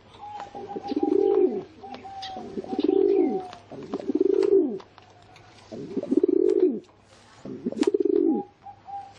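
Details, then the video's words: Pigeon cooing: five low, throaty rolling coos, each about a second long, arched in pitch and repeated every two seconds, with a faint steady tone above and a constant low hum underneath. "เสียง นกพิราบ"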